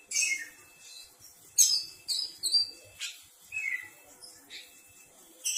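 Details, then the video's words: Oriental magpie-robin (kacer) calling to get other magpie-robins to respond: separate short phrases of sharp whistles and buzzy notes, including a falling slurred whistle, with quiet gaps between them. "Kicau pangilan KACER... dengarkan di jamin kacer anda pasti nyaut.."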